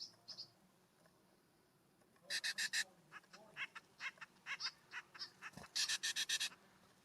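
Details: At a hillside ground feeder on a warm fall morning, California scrub-jays give rapid runs of coarse, buzzy notes, a dense cluster followed by scattered single rasps and another quick series, with faint higher chirps at the start.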